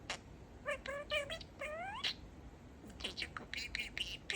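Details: Male budgerigar kept as a pet, chatting in a speech-like voice and saying his favorite phrase as 'Peek-e-boo'; a string of quick harmonic chirps, a long rising glide, then scratchy warbling syllables.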